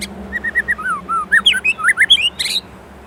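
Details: Indonesian white-rumped shama in full, lively song: brief whistled notes, then sweeping downslurs and upslurs growing louder and higher, ending in a dense burst of sharp high notes before the bird falls silent.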